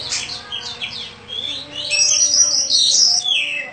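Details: Champion competition kacer, an Oriental magpie-robin kept caged, singing rapid high sweeping whistles and chirps that build into a dense, ringing warble with rich varied fillings; a faint low hum runs underneath.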